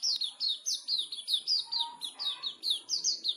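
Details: Competition Sooty-headed bulbul from Pemalang delivering a continuous stream of sharp, high, falling notes, roughly four per second, with a soft lower warble underneath partway through.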